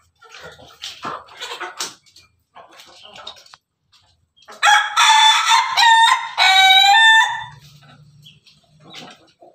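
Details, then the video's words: A red laughing chicken rooster perched on top of its cage crows melodiously. The crow is a long, loud run of pulsing, stuttered harmonic notes, preceded by quieter clucks and followed by a low hum. "Ayam ketawa di atas kandang, simerah pendekar berkokok yang merdu"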